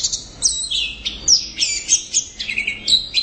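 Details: Orange-headed thrush in vigorous song, pouring out dense varied phrases of high whistles, harsh twitters and quick slurred notes with barely a gap between them.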